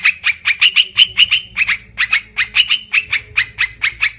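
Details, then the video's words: Olive-winged bulbul calling as a trapping lure: an unbroken string of throaty, chattering notes, roughly four each second, steady and insistent throughout. "suara pikat burung TRUKAN//merbah belukar,karuwang"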